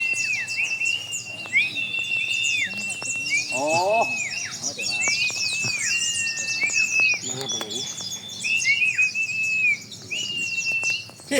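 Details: Mountain white-eye song at a contest-class joint training session, without cheering or lure sounds: busy high twittering chatter over repeated thin level whistles, with a few quick descending trill sweeps and brief faint voices.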